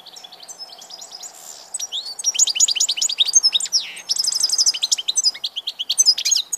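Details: Goldfinch pouring out a long lively song: soft quiet twitters first, then dense high chirping with rapid repeated trill notes and ringing notes, steady low hum underneath.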